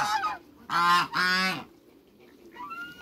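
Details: African geese, two males and a female, kept in a backyard alongside other waterbirds: two strong, drawn-out nasal honks back to back, framed by fainter, thinner calls before and after.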